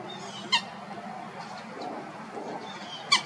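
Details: Common Gallinule filmed in Florida gives two short, nasal, honking notes about two and a half seconds apart over a soft, steady outdoor hum.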